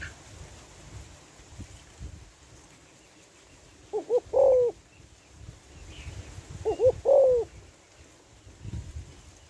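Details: Female spotted dove calling to draw males. Two cooing phrases come about three seconds apart, each with two short warbling notes and then a long, gently falling coo, over low rumbling background noise.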